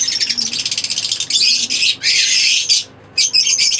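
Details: A pair of green Fischer's lovebirds in captivity chattering: quick rhythmic high squeaks, then longer harsh screechy bursts, a brief silence and renewed twittering.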